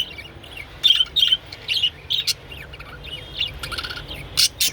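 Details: Japanese budgerigar during mating: bursts of scratchy high chirps and warbled squeaks, uneven in timing, over a steady low hum.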